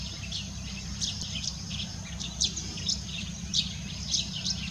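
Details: Yellow-throated sparrow giving short, sharp chirps scattered irregularly through the clip, several louder notes standing out, over a steady high-pitched insect-like hiss and a low rumbling background.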